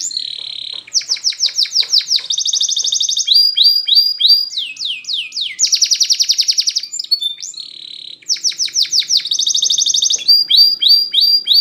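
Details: Spanish Timbrado canary singing a training song for silent canaries: fast rattling trills alternate with bursts of downslurred metallic notes and rolling tours, repeating in varied sections.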